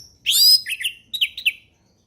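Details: Relaxed ngeplong song of an orange-headed thrush, played to tutor young birds: a long bright sweeping whistle followed by two pairs of short slurred whistled notes, on a clean quiet background.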